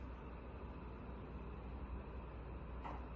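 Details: Low, steady rumble like a vehicle or machine running indoors, with no animal sounds.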